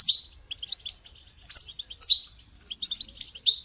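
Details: Caged goldfinch motivation call: quick, bright, tinkling twitters and sharp high chirps in lively runs, with several louder piercing notes in the middle.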